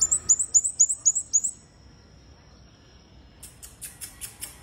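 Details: Lively red-headed bunting song, a rapid string of seven high, piercing slurred whistles at an even pace, then silence before a burst of softer, raspy repeated notes.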